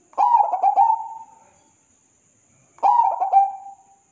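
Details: Two zebra dove (perkutut) song phrases roughly 2.5 seconds apart. Each starts with choppy, rhythmic coos and slides into a soft prolonged purr before silence. A faint, unbroken high-pitched hum runs through the recording.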